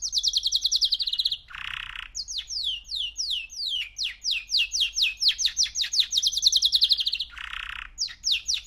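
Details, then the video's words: A three-month-old male canary sings long rolling trills of high, quickly repeated downslurred notes that shift in speed and pitch, interrupted twice by a short, noisy, rasping burst. "Kanarya Sesi 3 Aylık Erkek Canary"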